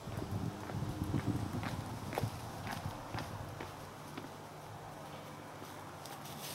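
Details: Japanese pygmy woodpecker excavating a new nest hole in a willow tree at Katsurazaka, Nishikyo Ward, Kyoto, Japan, on 18 March 2021, with a second bird nearby. Sharp, irregular wooden knocks come several per second over a low rumbling background.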